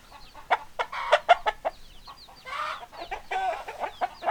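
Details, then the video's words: Flock of chickens with hens clucking: sharp separate clucks in the first half, then a noisy burst of overlapping squawks and thin chirps. "Chicken Sounds Noises Hens Clucking Roosters Crowing"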